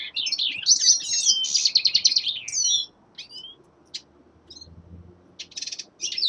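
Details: Young male linnet singing in winter: an energetic buzzy trill and twitter for nearly three seconds, then isolated chirps and a short rattle.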